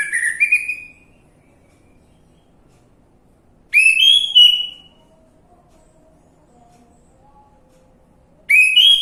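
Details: Orange-headed thrush lure song for prompting singing: three short whistled phrases, each under a second with a rising slur, spaced roughly four seconds apart over a quiet background.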